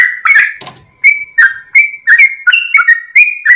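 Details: Sooty-headed bulbul singing vigorously at dawn, tail wagging. A burst of whistles, a short rustle and pause, then a steady string of clear, slightly bending whistled notes.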